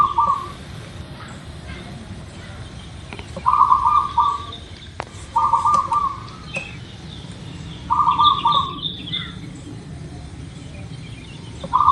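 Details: Local zebra dove in Indonesia, used to lure birds into quick song: repeated purring coo phrases every two to four seconds, interspersed with high chirping from other birds.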